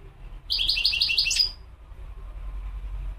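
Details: Brief goldfinch phrase of about one second: quick repeated tinkling notes ending in a short whistle, set against low-pitched background hum.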